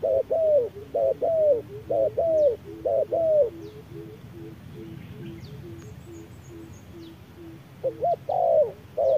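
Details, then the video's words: Wild spotted dove dueling an electronic decoy at midday in harsh sun, the wild bird opening its beak wide; mellow paired coos, a short note then a longer falling one, repeated about five times, a faint low series, then loud coos return. "MỒI MÁY DẬP ĐẤU BỔI GIỮA TRƯA NẮNG GẮT BỔI HÁ CẢ MỎ"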